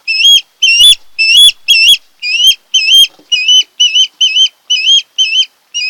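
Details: Osprey from a pair nesting on Kent Island, Maryland, on an August morning: longer, loud, slurred whistles, some upward-bending, repeated almost twice a second in an uneven rhythm.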